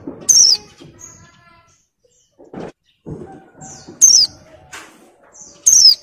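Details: Female Oriental white-eye, moulting but in breeding condition, giving her ngalas call to males: piercing high notes that drop in pitch, three in six seconds, with faint thuds and scratching between.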